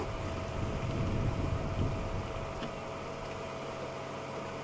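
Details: An idling vehicle engine hums steadily with a low drone, and no animal voices are audible.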